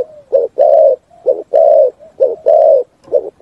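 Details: Spotted dove singing in the 'thúc gù' style, ringing through forest: short pairs of low hollow notes alternate with long, even, drawn-out coos, loud and clear against a quiet background.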